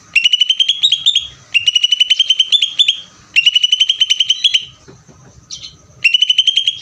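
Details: Greater green leafbird delivering ngeder song: fast, high, rattling trills of repeated sharp notes, each run slightly rising and lasting about a second, repeated four times with short pauses between.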